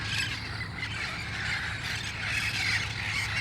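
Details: Wild red-faced parrots gathering at dusk before flying to nearby roost trees, El Cajon, August 1, 2018; a dense chorus of harsh overlapping squawks, steady throughout, over a low background hum.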